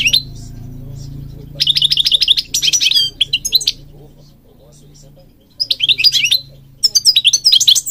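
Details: King goldfinch singing, a songbird of Moroccan gardens used to stimulate other birds: several bursts of rapid liquid twittering and trills separated by short pauses, over a steady low hum.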